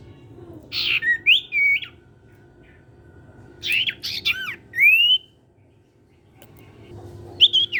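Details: Caged golden-bellied gerygone of the cipow type in energetic song, used to prompt untrained birds to sing: bursts of sharp, squeaky whistled notes with rising and falling slurs, separated by pauses, over a steady low electrical hum indoors.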